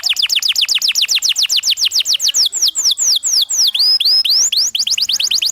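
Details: Singing canary used as a master for young birds learning the ngriwik sound: a rapid train of downward-swept whistles that slows in the middle into drawn-out looping notes, then speeds up again.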